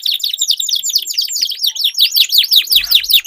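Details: Duelling canaries singing as a lure for a canary that has stopped singing; a dense run of quick, bright, repeated V-shaped whistled notes, steady and high, overlapping calls throughout.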